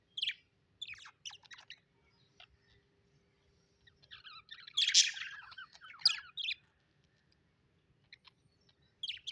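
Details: Pet budgies chirping happily, scattered sharp high tweets and short scratchy notes separated by quiet gaps, with a louder cluster of rapid chattering chirps in the middle and a few clicks at the end.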